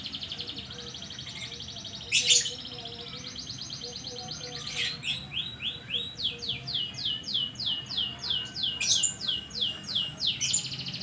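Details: Canary lure recording meant to prompt a lazy canary to sing: high rapid trills and rows of buzzy repeated notes, with loud sharp chips near two and nine seconds.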